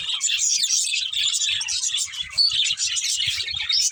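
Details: Budgies chatter continuously, mixing shrill tweets, trills and rasping notes in a dense, lively chorus with faint low thuds underneath.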